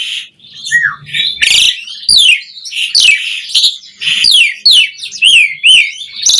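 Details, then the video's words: Asian pied starling song meant for teaching caged birds to sing: loud, rapid phrases of sweeping downward whistles, harsh rasping notes and squeaky chatter, each burst following the next with hardly a break. "Masteran Jalak Suren Gacor Full Isian JITU Buat Pancingan Kicau Burung Jalak Agar Cepat Bunyi Mewah"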